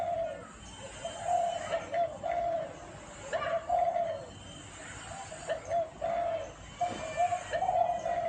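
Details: Spotted dove giving its Vietnamese-style rhythmic cooing song, repeated low hoarse coo phrases in short bursts with brief pauses, steady pitch, with faint background hiss.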